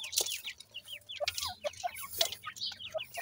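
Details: Teetar chicks being fed, excited high peeps mixed with lower, rounder chirps in fast irregular bursts, with pecking clicks.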